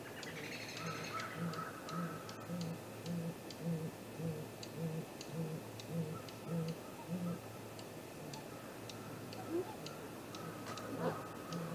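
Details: Great grey owl at a nest tree, 7:15 am on 2 April 2018, recorded by a live nest camera: a steady series of very deep, soft hoots, about two per second, with fainter mid-pitched calls above and a few sharp clicks.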